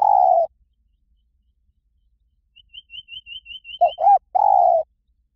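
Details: Spotted dove song in the 'Liw Tan' style, played to lure and train doves to answer in song: a low cooing note opens, then a high thin rapid chirping series, then two short coos and a longer steady coo.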